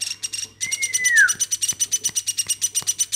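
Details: Woodpecker raised by hand from a chick, giving rapid rasping notes roughly three per second, with one smooth whistle sliding down in pitch near the start of the calling run.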